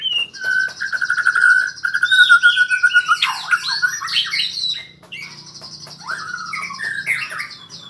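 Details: White-rumped shama learning to sing rolling trills: a steady buzzy trill held for about three seconds, then a burst of varied, sweeping whistled notes, over a low steady hum.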